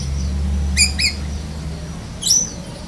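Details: Black-breasted White-rumped shama in lovebird-mimicking song: two quick bright chirps, then a pause and a sharp rising whistle-squeak, low hum behind.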